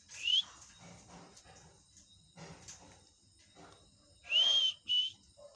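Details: Pet talking parrot whistling: a short rising note, a stretch of soft rustling and murmurs, then a longer upswept whistle followed quickly by a shorter one.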